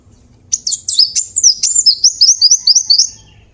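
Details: Cinereous tit (gelatik batu, wingko) used as a vocal master recording for tutoring birds: a quick run of high, sharp, slurred notes swooping down and up, about ten in under three seconds, over faint low hum.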